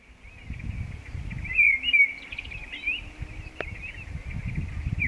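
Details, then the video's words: Common blackbird singing along a mountain path, Zauberwinkel and Kundler Bergweg: mellow warbled phrases, fluty and wavering, rising to a brighter peak midway, over steady low rumbling background noise. "Tatsächlich handelt es sich beim ersten Gesang um den einer Amsel."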